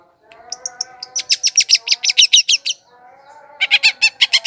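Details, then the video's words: Long-tailed shrike chattering, played as a lure for wild birds. It opens with scattered high notes, then gives a fast run of about a dozen rattling notes. After a short break a second rapid burst follows, with a low hum underneath. "PIKAT CENDET PENTET SUARA PANCINGAN"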